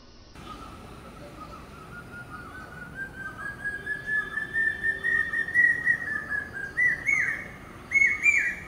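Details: Common hawk-cuckoo, also called brain fever bird, calling: a run of shrill whistled notes rising steadily in pitch and loudness, ending on the highest notes.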